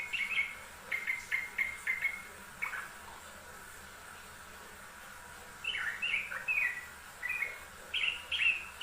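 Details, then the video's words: Yellow-vented bulbul in a master recording for training birds, a series of short, clear chirping notes repeated about twice a second, a pause, then livelier bubbly warbled notes, over a faint background hiss. "MASTERAN TRUCUKAN RAJIN BUNYI || kicau burung trucuk rajin bunyi"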